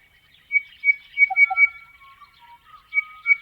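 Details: Crested bellbird (Oreoica gutturalis) song in the Australian outback: a quick run of five clear, high, ringing notes, two lower mellow ones, then drawn-out fluting tones and a final pair of high notes.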